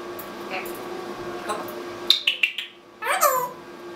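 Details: Pet African grey parrot talking indoors, imitating human phrases: short squeaky speech-like syllables, then a rising, wavering whistled vocalization, with a steady low room hum.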